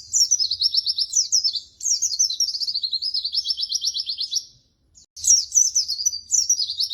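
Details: Pleci, the white-eye, in a 'masteran' training recording: two long runs of very high, rapid rippling trills with sharp slurred chirps, a short silence, then the twittering resumes.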